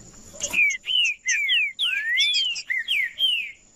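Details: Green-winged saltator song played to warm up other birds: a bright sequence of about eight clear whistled notes, mostly sliding downward, one long rising slur in the middle, over a steady high-pitched tone.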